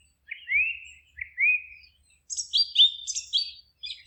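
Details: Forest bird song: two rising slurred whistles, then a quick series of higher chirping notes alternating between two pitches, lively and bright, with faint low rustling beneath.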